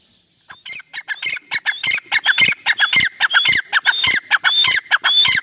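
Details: Irani teetar francolin calling after a short quiet start: rapid rasping, clucking notes topped by thin whistled inflections, repeated about every half second and building in loudness.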